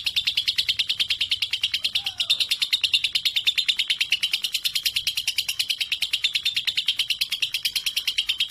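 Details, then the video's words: Steady stream of quick, piercing chirps, about three per second, from a 3.5-month-old lovebird described as bold around adults and good for training other birds. "Lovebird 3.5 🌒 berani trek dengan dewasa dan Cocok buat masteran"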